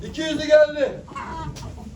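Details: Chicken at a poultry auction in Ankara, Turkey, in 2023: a short, loud, harmonic crow-like call lasting about a second, then fading, with men's voices bidding in the background.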